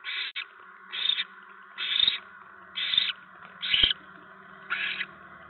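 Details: At a barn owl nest on a November 2017 evening, with a mouse being delivered, six rough hissing screeches arrive roughly once a second over a low steady hum, with occasional clicks.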